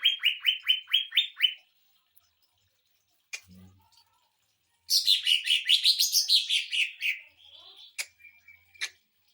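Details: Greater green leafbird delivering 'sewing machine' burst song, intended as tutor material and to provoke rivals: rapid repeated downslurred notes, a silent gap with a brief low hum, then a harsh dense trilling phrase, and a thin whistle with clicks at the end.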